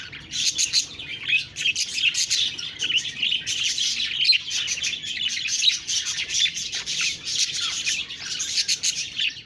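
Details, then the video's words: Several budgies chirp continuously, producing a fast, dense stream of high twitters and ticking notes that barely pauses over nine seconds. "Budgies Birds talking sound Birds chirping sounds"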